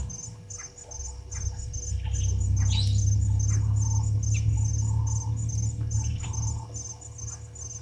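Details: Brown-headed parrots calling at Gowrie dam, Djuma Game Reserve, Sabi Sand, South Africa, late afternoon of 26 June 2023, by live waterhole camera: one loud rising screech and several short squeaky notes, with pulsing insect buzz and heavy low rumble.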